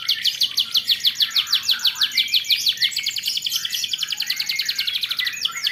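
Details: Lure song for young canaries, to make them sing more often: a long fast rolling trill of crisp repeated notes, steady and even, fading slightly toward the end.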